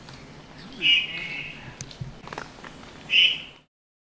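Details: White-throated thrush calling with two short, bright high notes, the first slightly drawn out and the second abrupt, with faint rustling and low background noise between them.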